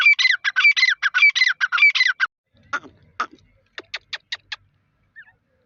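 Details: Partridge giving a fast burst of harsh, grating notes for two seconds, then scattered sharp clicks and a soft final note.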